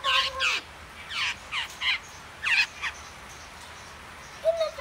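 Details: Spiny babbler baby bird giving loud, harsh, raspy bursts, about eight in under five seconds, some paired closely, ending with a shorter lower note.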